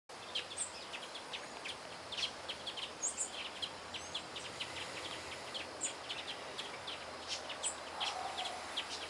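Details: A Brazilian tanager in winter Atlantic Forest remnant at Taiaçupeba, Mogi das Cruzes, São Paulo, on 8 June 2013, gives short, sharp, high chips, several a second in loose bursts, over a steady forest hiss and faint distant birds.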